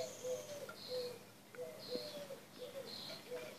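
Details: A male Gouldian finch trying his mating dance gives courtship song: soft, low humming notes alternate with thin, high drawn-out whistles, repeating roughly every half second over a faint background hiss.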